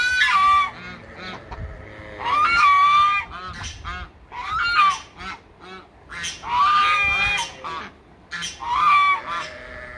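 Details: Domestic geese kept on a farm alongside ducks, pigs and sheep: loud, nasal honks in irregular bursts, several birds overlapping, with lower harsh calls mixed between.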